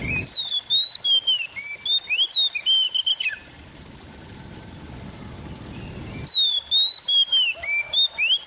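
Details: White-rumped shama recorded on an Android phone in East Java, used as a training track for a bird that has stopped singing: clear varied whistled phrases, rising and falling, broken by a few seconds of rumbling background noise.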